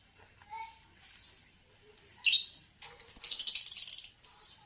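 A lovebird gives a few short, shrill chirps, then a harsh, rapid chattering burst of high squeaky notes lasting about a second, ending in one more sharp chirp.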